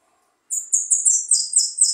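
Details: Jilguero finch sings a steady run of high, sharp, slurred chirps, about eight notes in a second and a half, each slightly buzzy and falling. Clean background.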